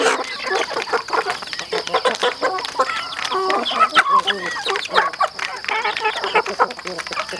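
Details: Farm chickens clucking while they eat: a dense stream of short, soft clucks and murmurs with brief higher chirps, over a steady background of sharp pecking and tapping sounds.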